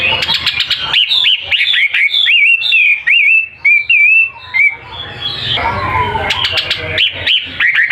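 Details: Caged bird offered for sale, singing actively: a fast, continuous run of high, varied whistled notes with short slurred and trilled phrases, sharp chips and brief gaps, then a burst of harsher chattering over a faint low hum.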